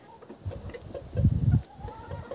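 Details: A rooster on a rainy, foggy day gives low, rapid clucking pulses, calling the hens over to something it spotted on the ground to peck. The calls are loudest in a burst mid-clip, with a faint higher tone in the background.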